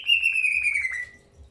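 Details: Greater green leafbird at the start of pairing: a single loud, pure whistle drawn out for about a second, gliding slowly downward and fading away.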